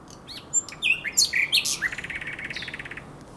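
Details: Common nightingale singing at Żerań Canal on the night of 23/24 April 2022: a few sharp, varied whistled notes, then a fast, even rattling trill of repeated clicky notes lasting over a second.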